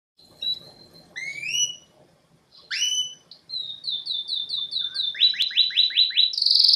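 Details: Canary singing a varied, high song. It starts with separate whistled notes and rising slurs, then runs into rapid repeated trills that grow louder toward the end.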